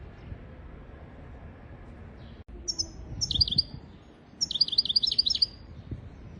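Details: European goldfinch song used as a tutor recording for teaching goldfinches and canaries to sing; after a quiet stretch with low hum and a click, two bursts of high, rapid twittering notes follow, the second longer.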